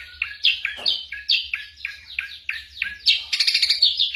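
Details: Ashy drongo mimicry: a series of quick downslurred whistled notes, repeated about twice a second, ending in a dense burst of harsh, scratchy chatter.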